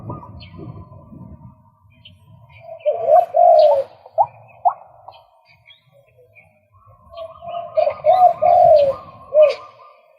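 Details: Male white-breasted waterhen calling in two bursts of harsh, throaty notes, rapid and clustered with a brief gap between groups, set against a quiet background with faint low rumble.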